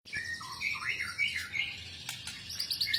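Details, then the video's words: White-rumped shama, a fighter bird singing with a full isian repertoire of varied borrowed phrases: a fast, rich warbling stream of whistled slurs and chirps that rise and fall, with quick high twitters near the end and light background noise. "BURUNG MURAI BATU FIGHTER FULL ISIAN"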